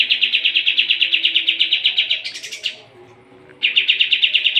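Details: Sooty-headed bulbul (kapas tembak) in full training song for competition birds: a long fast rattle of evenly spaced sharp notes rising into a buzzy higher phrase, a one-second pause, then the rattle resumes.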